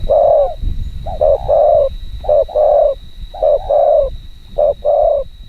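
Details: Fast luring coos from a spotted dove used as a decoy: double short notes leading into a longer mellow coo, five phrases evenly spaced, a thin continuous high tone behind.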